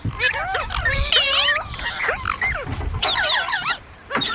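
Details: Ringneck parrot making funny talking sounds: clustered wavy whistles and squeaky slurs in two busy bursts, separated by a brief quieter spell, fading at the end.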